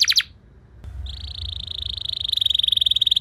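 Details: Canary singing as a training lure for other canaries: a short burst of trilled notes, a quiet moment with low rumble, then a sustained buzzy trill that grows louder and more pulsed.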